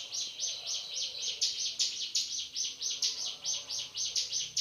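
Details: High, buzzy notes from a male Hill Prinia's 'tembakan' shooting song, repeated rhythmically about four times a second without a break, loud and clear against a quiet background.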